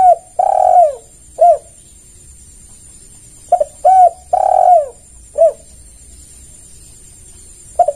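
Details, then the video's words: Lure call of a spotted dove, played to make other doves respond: mellow repeated coo phrases, each a short coo, then a long sustained coo sliding down, then a clipped final coo, with quiet pauses between. "Pancingan Tekukur Semua Pasti Merespon"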